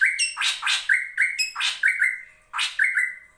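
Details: A drongo (srigunting) sings a busy string of clear, slightly rising whistles broken by harsh, raspy bursts, about one phrase a second, with nothing else heard.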